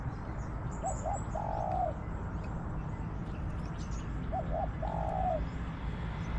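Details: Wild spotted dove (nok khao yai) in garden orchards, answering a decoy bird during decoy trapping; two low cooing phrases about 3.5 seconds apart, each a couple of short notes then a longer drawn coo, over steady background hiss.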